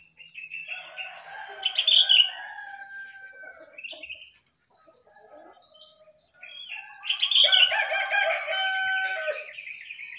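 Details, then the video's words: A jongkangan singing vigorously on top of its cage: two loud, dense bursts of mixed harsh and whistled notes, separated by quieter chirping. "Jongkangan Gacor Di atas Sangkar"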